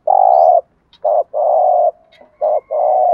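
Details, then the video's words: Spotted dove used as a decoy calls in its loud hurried cooing style: a long mellow coo, then a brief note and another drawn-out coo, with a final short-long pair. The phrases are strong and clean. "cu gáy kích bổi nhanh nổi và hiệu quả, tiếng chim cu cườm gáy thúc gù bài bản/ cu đất gù đấu"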